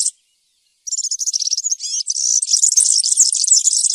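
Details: Wild-type campero song of a European serin: after a brief silence, a rapid metallic jingle opens with slurred whistled notes, then builds into a dense, loud, tinkling rattle.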